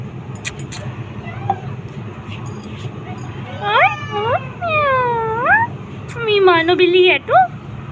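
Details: Talking parrot on a rooftop, exchanging sounds with its owner: a series of strongly harmonic, gliding, voice-like calls with upward bends, some rapid and stuttered, over outdoor noise.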